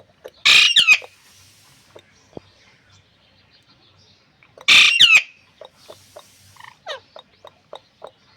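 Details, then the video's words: Alexandrine parakeet, shot on an iPhone, giving two loud harsh squawks about four seconds apart. Each is a rough burst with quick twisting notes, followed by faint clicks and soft short chirps in a quiet room. "बोलने वाला मिट्ठू | bolane wala Mitthu | Alexander 🦜parrot talking"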